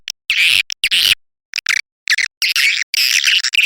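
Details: Swiftlet-attracting call of the edible-nest swiftlet: harsh, buzzy, high chattering bursts of about a quarter to half a second, separated by short pauses and a few quick clipped notes.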